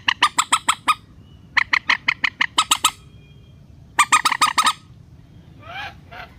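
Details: Rail calls played as a relaxed-style lure for luring hard-to-descend birds into nets: rapid bursts of harsh, harmonically rich squawking notes in runs of six to eight, a pause, then further bursts and a few fainter rising notes.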